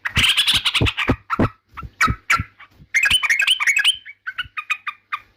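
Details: Yellow-vented bulbul singing in a way said to provoke rivals: harsh, broad chattering notes with low thumps at first, then a quicker string of clear, bubbly chirps that ends in scattered single notes.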